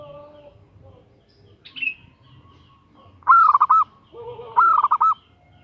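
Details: Female zebra dove calling for a male: two bursts of rapid, mellow coos about a second apart, preceded by a brief higher chirp from another bird.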